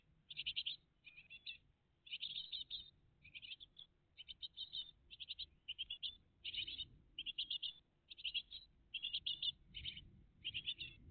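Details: Great tit family at the nest on a June 2023 morning, live between six and eight o'clock: a steady string of short, raspy, buzzy bursts repeated about twice a second, over a low background rumble.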